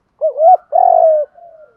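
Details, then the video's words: Spotted dove call used to train decoy doves and provoke them to answer. A short two-part coo is followed by a long, loud, steady hoot and then a soft, fading tail note. The background is quiet. "tiếng chim cu gáy thúc đấu luyện cu gáy mồi gáy theo"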